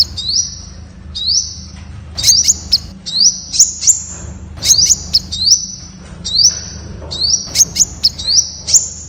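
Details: Temminck's sunbird, also called the Malaysian red sunbird, singing: high, thin rising whistles that flatten into sustained buzzy trills, each phrase about a second long, interspersed with sharp clicking ticks, repeated steadily.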